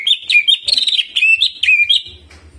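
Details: Greater green leafbird pours out loud, high, whistled phrases with quick slurred and rolling (ngerol) notes, mixing in borrowed calls including bar-winged prinia (ciblek) imitations; faint low thumps underneath; an energetic song meant to stir other leafbirds to sing.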